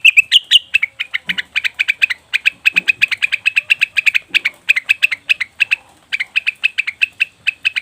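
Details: Leafbird calls played as a lure to attract wild birds: a long run of sharp, bright chirps repeated rapidly and steadily, several per second, with a few brief softer notes underneath.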